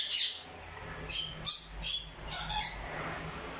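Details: Crimson-bellied conure giving a few short, harsh, scratchy squawks spaced irregularly across a few seconds, with a quiet low hum underneath.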